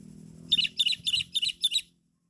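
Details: Sooty-headed bulbul of the cengkram type, described as loud and lively: a short burst of five bright, chirping note clusters, about three per second, stopping abruptly, over a faint low hum.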